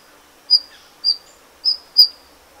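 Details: Golden bush robin making four short, sharp, high-pitched notes, the last two close together, in a quiet setting with faint hiss.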